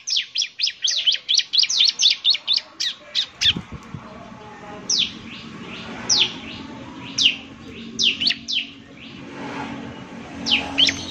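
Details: Bar-winged prinia lure song in eager form: a quick volley of high chirps, then slower, well-spaced sharp downslurred notes about one per second over faint background noise.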